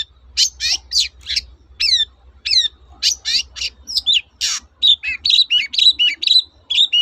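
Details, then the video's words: Long-tailed shrike, song used as a lure for silent shrikes: loud scratchy notes and repeated falling whistled slurs, then a harsh burst and a fast, busy sequence of varied chirps and warbles. "BURUNG CENDET GACOR TOET-TOET"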